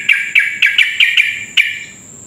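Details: Sooty-headed bulbul singing a lively lure phrase to provoke rivals: seven sharp, bright chirping notes in quick, slightly uneven rhythm, then silence; a steady high hum persists throughout.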